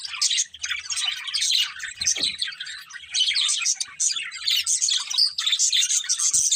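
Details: A flock of budgerigars chatters with bright, rapid chirps and squawky warbles, while faint low knocks sound in the background and a short downward note comes around two seconds.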